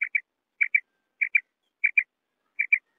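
Common quail giving short, clipped double notes, each pair a quick liquid 'whit-whit', repeated about every 0.6 seconds over total silence.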